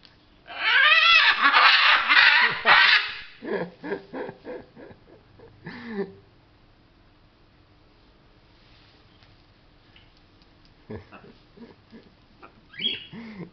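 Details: Pet macaw playing with its favourite towel indoors, giving a long, loud, rasping screech, then a run of short choppy grunting calls, a pause, and more scattered harsh notes.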